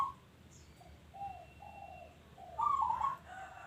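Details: Local zebra dove: a string of soft, low coo notes building into a loud rolling, trilled coo near the end, with faint steady background noise.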